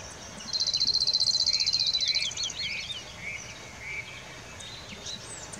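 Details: A Cirl bunting in a riverside grove sings one fast, dry, rattling trill on a single high pitch for under two seconds; softer notes from other birds follow over a steady background hiss.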